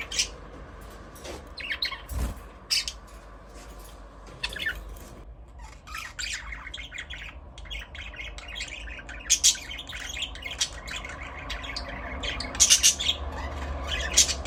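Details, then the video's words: Budgerigars singing and playing in their aviary: a steady background of chattering warbles with frequent sharp, scratchy squawks and chirps, several birds calling over one another, and a low hum underneath. "Budgies parrot chirping sound"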